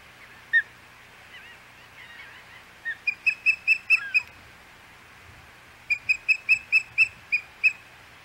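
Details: Hog Island osprey nest, 25 May 2021: a single whistle, then two quick series of six to eight high, ringing cheeps, each series lasting about a second and a half.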